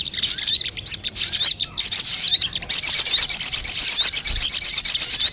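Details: Brown-throated sunbird (sogon) lure sound for attracting birds: high, thin chirps and sliding whistled notes, then a fast steady buzzy trill of rapidly repeated ticks from about three seconds on.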